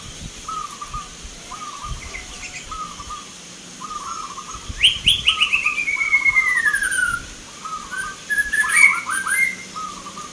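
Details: Local zebra doves at a Nglagu Ngepat Mentaraman rhythm-song contest in Yogyakarta, Indonesia, 19 November 2023: short, low, rolling cooing phrases repeated steadily, crossed midway by a loud, falling, whistled chirp series from another bird.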